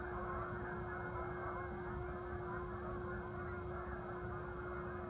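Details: Many geese honk together in an unbroken, clamorous chorus on the vernal equinox in 2015, with rumbling low background noise and a steady humming tone beneath the calls.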